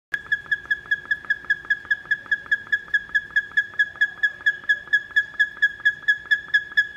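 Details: Male buff-crested bustard in the McNeil Avian Center bird house at Philadelphia Zoo, 20 June 2014, giving its loud piercing call to establish territory: a fast series of sharp, ringing tonal notes, about two per second, steady and unbroken.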